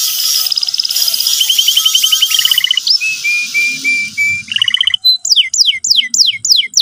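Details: Canary singing as a lure to teach a young canary: a high trill, a rolling lower trill, a string of level whistled notes, then loud repeated descending sweeps, with faint hiss behind.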